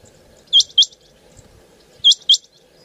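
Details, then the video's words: Quail call, two pairs of sharp high rising notes about 1.5 seconds apart, over a low hum. "Bater ki Awaz||Batair ki kirak"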